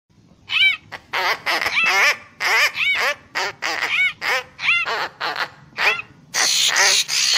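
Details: Papuan magpie-robin lure song delivered vigorously: a fast string of nasal, arched, harmonic notes alternating with harsh buzzy bursts, ending in a long hissing burst.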